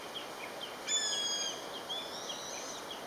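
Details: One of a pair of common buzzards calling: a brief clear whistled note, held level then falling slightly, with faint chirps of other birds around it against a soft hiss.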